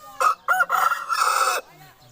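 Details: Aseel rooster crowing: a brief opening note, a short break, then a long, even, harmonic crow held for about a second before stopping abruptly, with nothing else heard.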